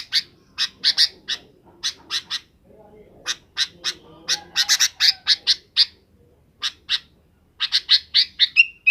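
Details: Sooty-headed bulbul calling in the afternoon to bring companions to roost: long irregular run of harsh, buzzy chirps in clusters of two to five, ending in a brief rising whistle.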